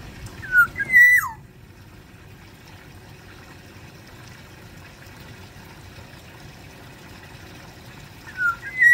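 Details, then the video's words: Black-naped oriole from Sumbawa kept in an aviary: loud, liquid whistled phrases, slurred up and down, sound near the start. A long quiet stretch with faint background hum follows before a final whistled phrase at the end. "Keodang emas sumbawa di dalam aviary gacor"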